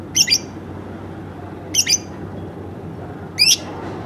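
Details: Lovebird kept at home giving paired squeaky chirps, three doublets roughly one and a half seconds apart, with low background hum.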